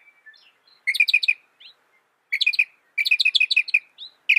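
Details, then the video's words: Northern mockingbird (Mimus polyglottos) singing loud, rapid bursts of bright chirpy notes, each phrase a quick series of five to eight repeated high syllables, with short pauses and a few thin slurred whistles between bursts. "Masteran Burung Kicau Mockingbird Gacor - Mockingbird Bird Sound"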